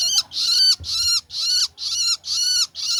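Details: Juvenile long-tailed shrike calling: harsh, raspy wheezing notes repeated about every half second, six in three seconds.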